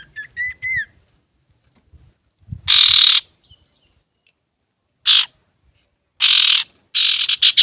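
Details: Male Common iora singing, a recording for provoking other birds: a few short whistled notes with a falling twist, then separated harsh, hissing bursts with long pauses between them.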